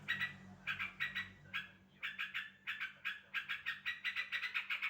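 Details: Sooty-headed bulbul (trucuk) calls meant to prompt another bulbul to answer: quiet, rapid chattering bursts of 'cuk-cuk-cuk' notes repeated in uneven clusters, over a steady low hum.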